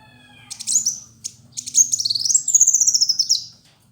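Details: Male sunbird (kolibri wulung), a lively fighter-type singer used as a tutor recording: high thin chattering phrases, then a fast run of sliding whistled notes repeated about four per second, with a faint low hum beneath.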